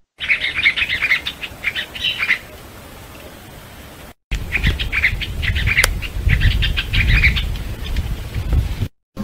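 Masked Water-Tyrant giving sharp, nasal chirps in quick irregular bursts, about one per second, over a low rumbling background.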